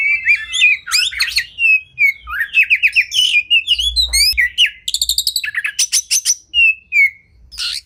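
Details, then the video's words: Champion Oriental magpie-robin (kacer) tutor song with full 'tembakan' fill: rich, varied high whistles, rapid buzzy trills and sharp chips, sliding notes and quick repeated bursts, delivered almost continuously with short pauses. "Masteran Burung Kacer Full Isian Tembakan Juara"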